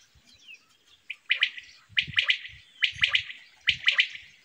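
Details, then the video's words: Quail giving clipped, liquid notes in tight groups of two or three, the groups repeating roughly every second, over faint low knocks and a quiet background. "quail sound"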